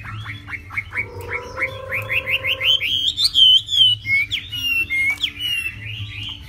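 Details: A hwamei singing a varied, lively song: a run of quick repeated downslurred notes, a steady held tone, then rising series of whistles and clear slurred phrases, over a low background hum.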